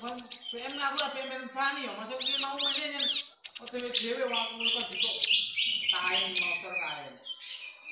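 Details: Long-tailed shrike performing in Jepara, singing a repertoire that mimics the kapas tembak; dense bursts of harsh, buzzy notes with rising and falling whistled strokes, delivered in tight clusters with one short pause midway.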